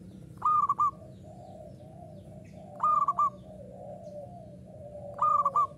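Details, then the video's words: Local Indonesian zebra dove in uraa umum song style, singing actively: three clear stuttered cooing phrases, about every two and a half seconds, with softer lower coos between. "SUARA PERKUTUT LOKAL URAA UMUM GACOR NGAYER"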